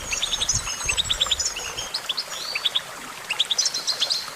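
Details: A goldfinch sings lively bursts of short, evenly spaced chirps mixed with buzzy slurs and thin whistles, against a faint hiss.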